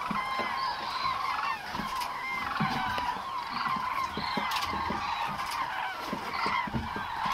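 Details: Common cranes in a large gathering at Agamon Hula, Israel, October 2012: a dense, continuous chorus of overlapping rolling trumpeting calls from many birds, with sharper individual honks breaking through the steady din.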